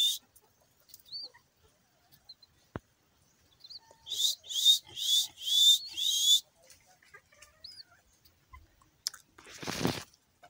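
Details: Pet pink-necked green pigeon, mostly quiet, gives a short run of five or six rising whistles in quick succession midway, with scattered faint chirps and a brief rustle near the end.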